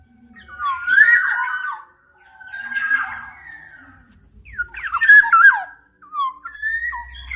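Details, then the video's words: Black-naped oriole alternating rich fluty whistles with rougher, squawky notes in four loud bursts, plus a faint low hum near the end. "Tiếng chim Vàng anh Gáy đen/ VA Trung Quốc ✅Black-naped Oriole(Oriolus chinensis) ✅นกขมิ้นท้ายทอยดำ"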